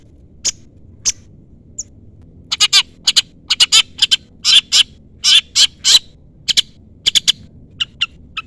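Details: Long-tailed shrike calling a rival to provoke a response: scattered sharp chips building into dense groups of harsh, grating notes, then easing back to a few spaced high chips.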